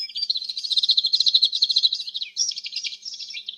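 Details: A fast rattling canary trill of evenly repeated notes for about two seconds, followed by a higher, softer warbled phrase.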